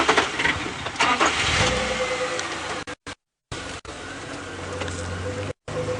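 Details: Safari vehicle engine idling and revving outdoors, broken by brief dropouts, with no animal sounds audible.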